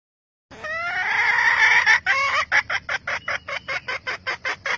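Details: Red junglefowl hen giving her call to stimulate males: a long harsh note climbing in pitch for over a second, followed by about a dozen sharp, evenly spaced clucks that slowly fade.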